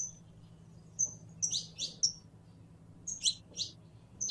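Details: Female canary in heat summoning a male to mate, with thin high whistles and doubled chirps in small clusters separated by pauses, over a low background hum.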